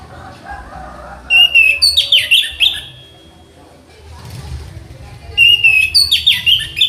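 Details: Orange-headed thrush singing as tutor material, two loud bursts of rich, varied whistles and rapid trills, each lasting about a second and a half, separated by a quiet gap with low background rumble.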